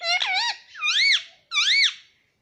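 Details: Baby parrot indoors giving three loud, rich screeches, the first wavering, the next two smooth arches that rise then drop, in a quiet room.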